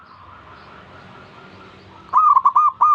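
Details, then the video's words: Zebra dove singing to draw other doves into calling: faint distant cooing, then one loud phrase of four quick, mellow, rolling coo notes with a bright, slightly trilled quality. "Yatim pintar ngajak perkutut lain ikutan bunyi"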